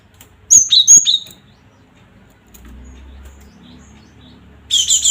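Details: Cinereous tit (gelatik batu) phrase used as a bait sound to rouse other gelatik batu to sing and fight: high, sharp two-note chirps sliding downward, a short burst near the start and another at the end, with quiet low hum between.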